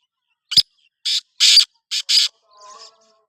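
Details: Black francolin (kala teetar) calling: a short burst of five harsh, grating, rasping notes over about two seconds. The last two notes come close together, followed by a faint, thin tonal sound.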